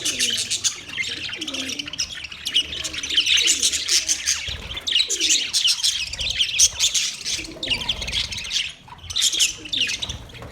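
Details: Continuous high parrot chatter, many quick scratchy chirps and thin tweets running together, with short dips in intensity between louder clusters.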